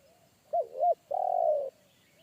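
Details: Single phrase from a wild forest spotted dove with a deep, booming one-coo style voice that scared off a trainee decoy bird: two short curved coos then a long sustained coo.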